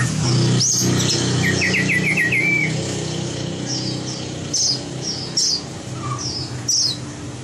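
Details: White-rumped shama being trained for competition singing: a rapid trill of short notes near the middle, then scattered high whistled notes and chips, over a steady low hum.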